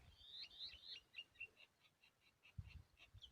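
A woodshrike chick begs with thin, high chirps repeated about four times a second, fading toward the end, over soft low thumps.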